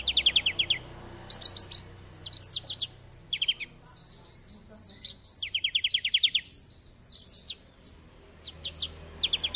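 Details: Lure song of an actively singing Javan bush lark, played to get a stalled bird singing: quick rattling series of sharp high notes alternating with a run of slurred descending whistles, over a low steady hum.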